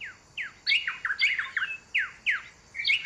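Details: A pair of Rosy Thrush-Tanagers (bright red male, orange female) duet in a protected forest in Metropolitan Park, Panama: rich, rollicking whistles in quick, slurred, falling bursts, with one bird continuing the phrase when the other stops.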